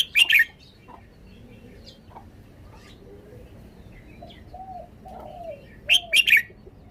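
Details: Caged red-whiskered bulbul performing its song phrasing: two loud, ringing three-note whistled phrases about six seconds apart, with soft distant chirps and faint calls between them.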